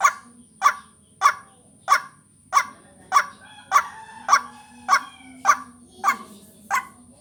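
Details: A white-breasted waterhen vocal-training lure call. A dozen rough, croaking notes repeat at a regular pace, just under two per second, and a faint steady high hum runs underneath.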